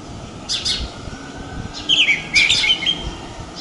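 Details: Chirping house sparrow recorded at Praia de Pipa in Rio Grande do Norte, Brazil: a faint chirp early, then two loud clipped, downward-sliding chirps close together, over low outdoor background noise.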